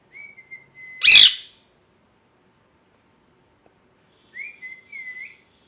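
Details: Pet parrot in molt: brief whistled notes, one loud rough squawk, then after a quiet gap a rising and wavering whistle phrase.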